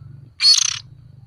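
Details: One loud, grating, broadband rasp from a juvenile oriental magpie-robin used as a lure, lasting about a third of a second, set against a low pulsing hum.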